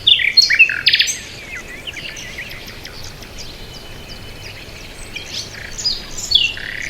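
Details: Bird chirping: a loud burst of sharp high chirps and a short scratchy run at the start, soft distant notes in the middle, then a few more chirps near the end.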